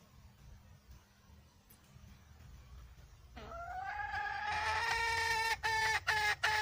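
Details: Wild red junglefowl hen calling: after three seconds of faint background hiss, a nasal, harmonic drawn-out note rises, then breaks into quick repeated clucks in the final second.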